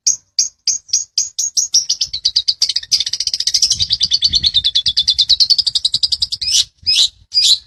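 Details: Long-tailed shrike master recording for training songbirds: a run of sharp chirps speeds into a fast, dense, scratchy chattering trill lasting several seconds, ending with a few separate harsh notes.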